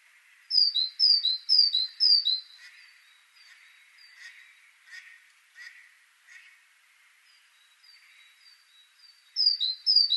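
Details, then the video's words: Great tit (Parus major) singing a see-sawing series of two-note whistles, four phrases in a row, then a pause with soft clicks and rustles before the song resumes. "Great Tit Parus major)"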